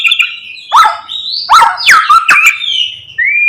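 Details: White-rumped shama singing in the morning, its song full of imitations, aimed at provoking other shamas. Sliding whistles and loud downward-swooping notes come in quick succession, ending on a clear, steady whistle.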